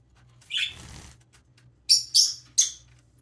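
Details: Young pet parrotlet preening and chirping: a soft buzzy note, then three short sharp high chirps in quick succession, with a faint low hum behind.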